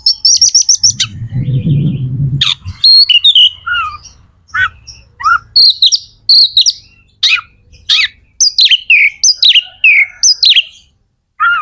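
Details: Oriental magpie-robin in full song, used to fire up other magpie-robins and make them sing. Loud, high whistles, rapid chattering trills and sweeping notes come in quick bursts. A low rumbling noise is heard early on.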